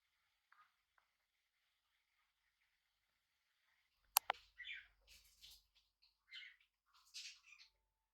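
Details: Tame hand-reared budgerigar chick on its first day at home, indoors; near silence for four seconds, then a sharp click followed by short, scratchy chirps and warbling notes in loose bursts.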